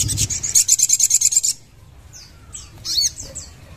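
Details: Ruby-cheeked sunbird singing: a very high, rapid trill of sharp, evenly spaced notes lasting about a second, followed by a few thin, high descending chirps and a short squeaky phrase.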